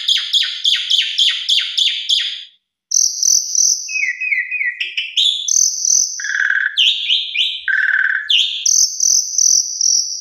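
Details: Asian pied starling singing vigorously: opens with a rapid run of about eight identical sharp chipping notes, then varied clear whistles, low fluty stutters and scratchy buzzes after a short gap.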